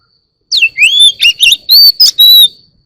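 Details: Oriental magpie-robin singing in the morning, a loud run of clear whistled notes, some sliding down and others rising, with short buzzy bursts between them, over about two seconds.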